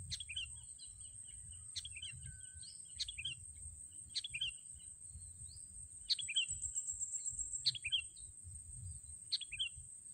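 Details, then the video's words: Sooty-headed bulbul lured for trapping with a racik; sharp, short downslurred chirps repeat roughly every one to one and a half seconds, some doubled, above a continuous shrill tone and faint low background noise. "mikat burung kutilang memakai racik memang handal"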